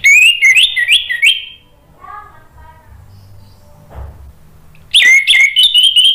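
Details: Orange-headed thrush in vigorous, loud ngeplong-style song: rapid high whistled phrases that rise and fall, then a pause of faint low sounds, then another burst of varied whistles.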